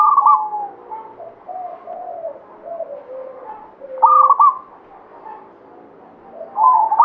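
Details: Zebra dove, local bird of the Banyumili katuranggan type, singing actively. It gives three separate loud phrases of stuttering, rolling coos, spaced by softer background cooing from other doves.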